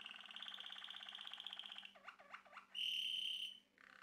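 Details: Caged male Malinois Waterslager canary from a Turkish breeder, singing a fast bubbling trill, then three looping dipping notes and a loud sustained pure whistle, closing with a softer note.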